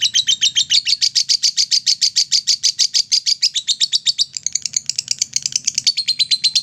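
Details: A lovebird's ngekek song, played to stimulate other lovebirds, delivered as a continuous rapid-fire series of piercing high chirps that wavers slightly in pitch near the end, with a faint low background hum.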